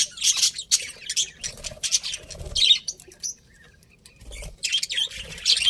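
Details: Pet budgerigars, a breeding pair, give bursts of harsh chirps and squawks, then fall quiet for about a second before a fresh run of scratchy calls.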